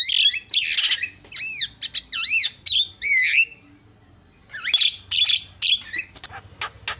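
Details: Javan myna singing as a lure to rile other mynas: loud harsh squawks and wavering whistled slurs, a short pause, then more grating squawks and clicks.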